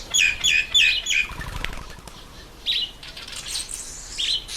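Red bishop gives four quick, high chirps in about a second, then softer sizzling, buzzy notes, with a burst of fluttering wingbeats between them.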